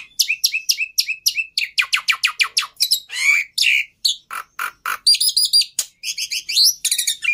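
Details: Black-winged myna producing a rapid string of hooked chip notes, slurred whistles and a few rough squawks, ending with quick doubled whistled phrases, loud and continuous.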